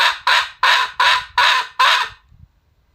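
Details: Red junglefowl in the wild: six loud, hoarse, broad squawking notes delivered about every third of a second, then quiet.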